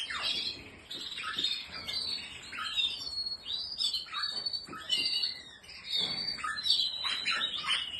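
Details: High, busy canary warbling, the bird tagged with Spanish Timbrado and Malinois breeds, in quick swooping notes and short trilled runs, near continuous with occasional soft rustles.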